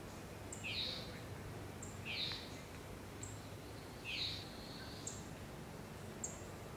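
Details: Barred owl with her young in the wild in Canada: three harsh, raspy, hissing screeches, each under half a second and spaced about one and a half to two seconds apart. Faint high ticking sounds repeat in the background.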